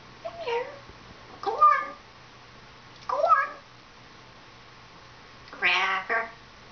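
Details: Pet female African grey parrot, about 14, vocalizing indoors: four separate short speech-like phrases with wavering, falling tones, spaced over several seconds against a quiet room.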